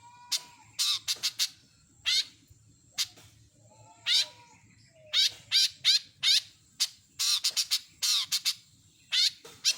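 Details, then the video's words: Long-tailed shrike giving mimicked phrases: a short steady whistle, then scattered loud bursts of harsh chirps and downslurred notes separated by short pauses. The bursts cluster more densely toward the end. "burung CENDET gacor isian lengkap"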